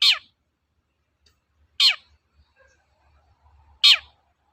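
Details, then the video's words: Long-tailed shrike lure recording intended to set other shrikes singing: three loud, rasping notes sliding downward, about two seconds apart, with faint low hum between. "BURUNG CENDET GACOR TOET-TOET, PANCINGAN AMPUH SAAT INI"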